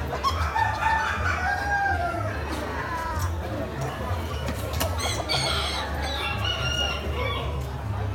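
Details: Several bantam roosters crow at once at a crowded, noisy poultry expo in October 2019, drawn-out, strained rising-and-falling calls overlapping through a steady low hum.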